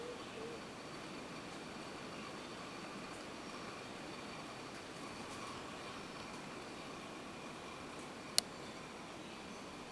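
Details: Low, even background hiss and hum throughout, broken only by a single sharp click near the end.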